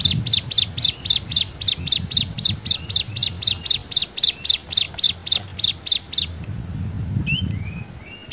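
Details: Hill Prinia singing 'nembak', a tutor song for young birds: a fast, even series of sharp, high chip notes, about four per second for six seconds, followed by soft slurred whistles.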